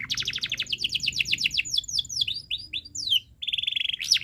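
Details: Singing canary on a tutor recording meant to teach young birds: a quick run of repeated sweeping notes slows into looping, swooping whistles, then a short pause and a flat, steady trill.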